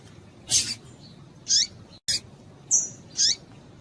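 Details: Female rusty-collared seedeater calling to stimulate males: rapid high scratchy chirps with downward sweeping tails and a thin whistle, one brief dropout mid-sequence.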